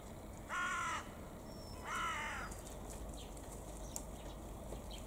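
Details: Carrion crow calling while playing with rubbish: two hoarse, harmonic caws about a second apart, each lasting roughly half a second, over steady background noise, with thin high squeaky notes from a Japanese waxwing faintly behind.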